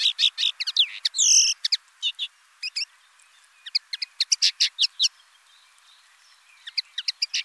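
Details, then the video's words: Song of the common linnet, a rambling series of quick twittered chips with one drawn-out nasal buzzy note, then further rapid dry notes after a short gap. "BIRDS VOICE : The common linnet Bird"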